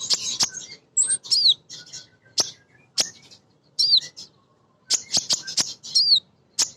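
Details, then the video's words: Female crimson sunbird calling for males, a chattering 'nyrecet' call used to prompt newly kept birds to sing: rapid, very high, sharp chips and short down-curving whistles in quick bursts, with brief pauses between clusters. "Konin Betina Gacor‼️ Nyrecet Nembak Cocok Untuk Pancingan Burung Bahan"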